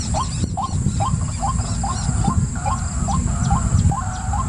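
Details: White-breasted waterhen giving a monotonous series of short upward-kinked notes, about two per second, with faint higher chirps from other birds and a constant low rumble.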